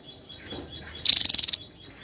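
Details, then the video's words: Javan tesia giving a single short, intense trill of rapid high pulses lasting about half a second, over faint thin whistles, in a contest-style tutor recording of dense singing. "Tesia jawa gacor rapat"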